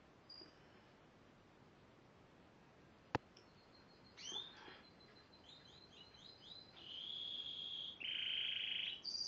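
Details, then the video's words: Yellow Spanish timbrado canary, 2011: quiet opening with a sharp click, then the song starts with a burst of notes, a run of short chips and two sustained trills, the last one lower and buzzier. "2011 SPANISH TIMBRADO GREAT SINGER"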